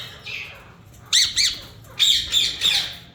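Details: Harsh, high screeching calls from a yellow ringneck parakeet of a breeder pair: a faint call, then two sharp squawks and a quick triple of grating shrieks.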